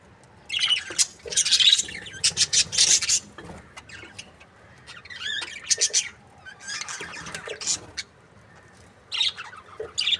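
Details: Several budgerigars, an Australian parrot kept in breeding pairs, chatter with grating squawks and a wavering warbled phrase midway, in irregular bursts separated by lulls.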